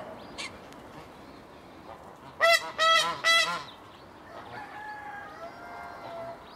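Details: A swan goose (Anser cygnoides), one of a pair moved into an open enclosure, gives three loud, nasal honks in quick succession, with fainter honks before and softer drawn-out calls afterward.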